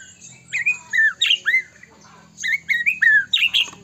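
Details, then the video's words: Murai batu song played as a lure to make other shamas sing and grow agitated; harsh, squawky downslurred notes in two quick clusters split by a pause, over a low steady hum. "murai batu gacor AMPUH buat PANCINGAN murai batu agar bunyi JADIKAN burung murai GACOR & EMOSI"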